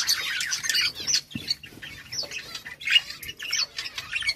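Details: Budgerigars chirping, played to make budgies happy: a busy, continuous stream of high chattering warbles, squeaks and short twittering notes.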